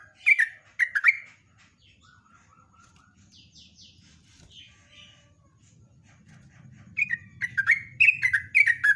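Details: A yellow-vented bulbul, used as a lure, gives two sharp chirps, then soft faint notes, then a fast bubbly warbled run, with low background rumble.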